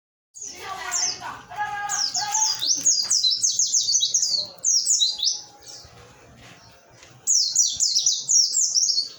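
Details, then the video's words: Oriental white-eye from Pacitan, Indonesia, singing in the 'nembak materi' style: rapid bursts of very high, thin, sharply descending twitters in phrases of one to two seconds, broken by brief pauses, with faint low background murmur. "pleci pacitan nembak materi"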